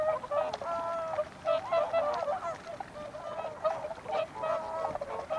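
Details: Whooper swans giving drawn-out, level, trumpet-like honks alternating with shorter clipped notes, several birds overlapping at a moderate distance, calls recurring a few times per second.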